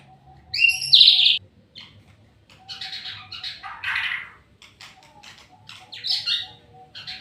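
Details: White-rumped shama in full song: a loud, clear two-part whistle opens, then a jumble of buzzy, scratchy and chattering notes, with a brighter phrase near the end.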